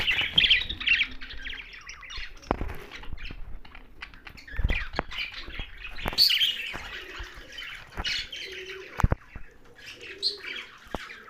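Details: Chirping from a young budgerigar: scattered squeaky chirps and brief chatter, broken by sharp clicks and knocks, with faint cooing in the background.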